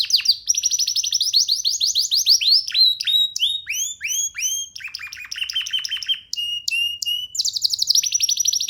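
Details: Young canary, not caged, sings from a person's hand: long fast rattling trill, then a series of descending slurred whistles, short clipped notes and a quick trill again, loud and continuous.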